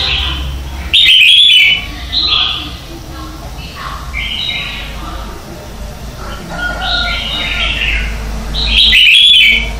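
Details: Red-whiskered bulbul decoy song for morning training: a loud bright phrase after one second, scattered softer chirps and warbles, and another loud phrase near the end over a low rumble.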